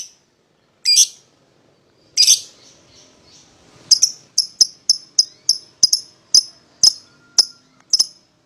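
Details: Lovebirds of the paud type, a pair, calling to lure a rival to sing: two loud rasping squawks, then a quiet gap, then a steady string of thin, sharp ticking chirps.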